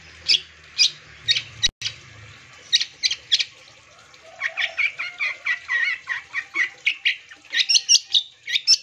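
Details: Long-tailed shrike sound used to make other shrikes respond: spaced scratchy chips at first, then a long run of quick, buzzy chattering notes that grows busier and higher toward the end.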